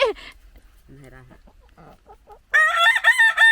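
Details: Rooster kept at a Thai woman's home in Norway crowing: after quieter low clucks and human voices, a loud harmonic crow bursts in during the last second, strong and sustained.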